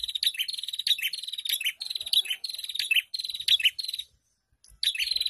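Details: Several prinias calling together in an ombyokan chorus, used to lure caged prinias into song. Buzzy, metallic trills come in quick overlapping bursts, then a short silence before the rattling resumes.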